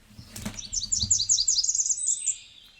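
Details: Blackburnian Warbler's three-part song, rising higher as it goes ("burn, burn me up"): a very high, thin run of quick, sibilant doubled notes, then a trailing final phrase. A couple of soft low thumps come early.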